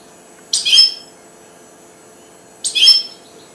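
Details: Goldfinch hybrid, four months old and just starting to sing: two harsh, buzzy high notes about two seconds apart, with quiet between them.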